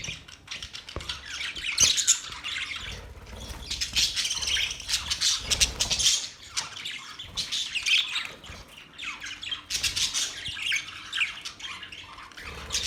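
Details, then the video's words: Long stretch of parrot chirping in a relaxing setting: bursts of shrill chirps, warbles and squawks alternate with short quieter gaps, plus occasional low knocks. "Parrot chirping sounds"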